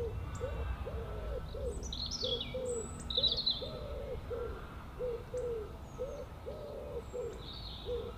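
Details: Birds on a beautiful day: a steady low cooing repeats in short and drawn-out notes about every second throughout, while higher thin chirps and sliding whistles come in scattered bursts above, over a faint low rumble.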